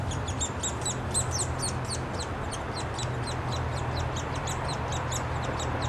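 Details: Downy Woodpecker young at the nest in Wolfe Park, Columbus, Ohio, on 26 May 2013, calling while a female and then a male feed them: a dense run of high, squeaky notes repeated several times a second over a steady low hum.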